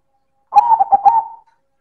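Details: A single loud manggung phrase by a silver perkutut, or zebra dove: quick throbbing coos, four beats in a row, melting into a short sustained hollow note, then silence.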